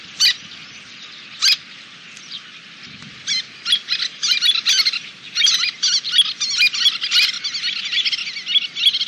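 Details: Little terns at a nesting colony in Kobe on 26 June 2016, a dozen or more birds with fledglings grown as large as their parents. They give high, squeaky, rasping calls, scattered at first, then a dense overlapping chatter over a faint low rumble.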